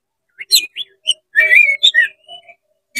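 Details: Oriental magpie-robin in full, fast song with its tail open, used to provoke other magpie-robins: a brief sequence of bright whistled notes and a slurred warbling phrase, with short quiet gaps between notes.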